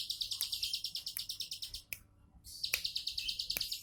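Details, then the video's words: Bar-winged prinia giving relaxed 'tembakan' song: a fast train of thin, high buzzy notes, a half-second pause, then the rapid pulsing resumes, with a few sharp clicks. "Tembakan santai ciblek sawah"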